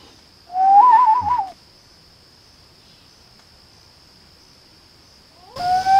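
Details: A common loon trades calls with a person in a short back-and-forth: a quavering, warbling call lasting about a second, then after a long pause a rising wailing note begins, over a steady faint high hum.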